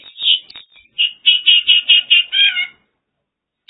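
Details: Mongolian lark in China delivering a run of repeated throaty, slightly buzzy notes, about seven in quick succession after a few softer introductory sounds, then stopping abruptly.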